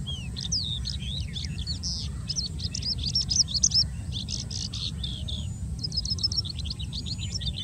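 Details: Oriental Skylark singing on Socorro Plateau, Goa, India, pours out a long, unbroken stream of high, twittering and buzzy notes over a steady low rumble of wind.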